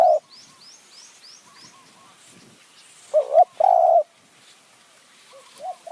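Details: Spotted dove used as a decoy to draw in wild doves in Kanchanaburi's high forest, Thailand: faint coos early, then one loud phrase of a doubled hoot and a drawn-out coo, and a quieter coo at the end. A high, repeated chirping bird calls at the start.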